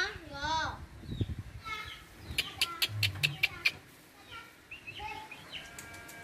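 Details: Wild, tame Javan myna living freely alongside people rather than caged: a quick run of harsh, rasping chack notes mid-recording, with human voices and softer chirps from other birds around it.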